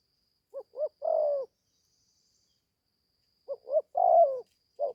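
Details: A young spotted dove taken into the forest for its first training, having just begun to call: two phrases of two short soft notes and one long descending coo, separated by silence, the next phrase starting at the end.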